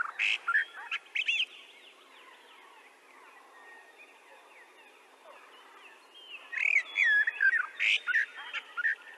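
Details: Common whitethroat (Sylvia communis) singing a short, scratchy, jerky warble at the start and a longer chattering phrase near the end. Soft background trills from other birds fill the quiet gap between the phrases.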